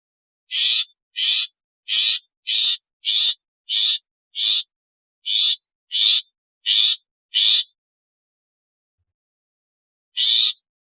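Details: Long-tailed shrike from a recording of natural, calling, alarm and lure sounds. A fast, fairly regular run of eleven short grating rasps, then a long silence and one final harsh note.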